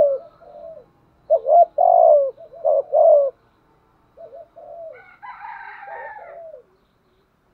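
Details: Spotted dove decoy cooing to stir rival doves: three loud phrases of hollow, falling coos, then softer coos overlapped by a harsher, higher crowing-like call in the background.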